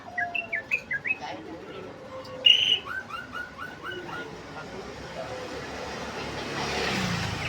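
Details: Sooty-headed bulbul singing ngeriwik, a series of short slurred whistles that rise, then bend downward, followed by a louder sharp note and a run of falling whistles, with hiss building toward the end.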